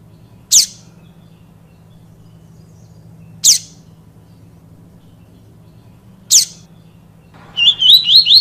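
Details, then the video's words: A yellow-bellied seedeater (coleiro baiano) sings its "tui tui viviti" song, used for training young birds: three sharp, high, downslurred whistles about three seconds apart, then a quick run of warbling notes, over a low indoor hum. "Papa capim Tui Tui Viviti Treinamento"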